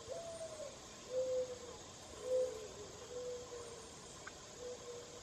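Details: A mourning dove under a rain tree gives soft, hollow, low coos, about five notes roughly a second apart, over a steady background hiss.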